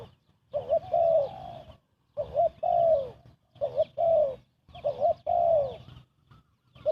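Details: Fast cooing of a spotted dove played to lure birds for trapping: a steady series of phrases, each a brief mellow note and then a longer, slightly falling hollow coo, repeated about every one and a half seconds.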